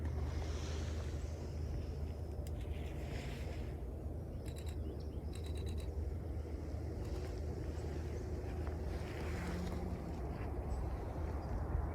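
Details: Heavy wind rumble buffets the microphone throughout, with only a few faint, brief high ticks and no clear animal voice.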